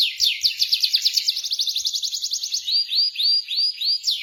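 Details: Lure song of a canary meant to set a non-singing canary rolling, ngeroll style: a long run of rapid, evenly spaced upswept notes that speed into a dense trill, ending with slower arched whistles about twice a second.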